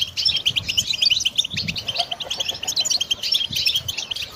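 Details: Goldfinch song provided for songbird training: busy, bright twittering made of fast repeated chirps and light trills, steady throughout, over quiet low background noise.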